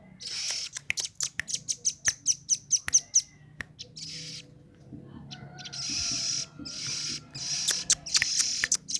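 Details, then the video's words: Velvet-fronted nuthatch call used as a lure for wild birds: a fast series of sharp, high ticking notes, then bursts of dense, buzzy chatter, with faint low background hum. "Burung rembetan cocok buat pancingan"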